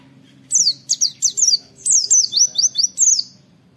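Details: Two phrases of loud, high oriental white-eye notes, each a rapid series of sharply falling whistles, about four to seven per phrase; a "wit wit" training recording with a faint low hum beneath.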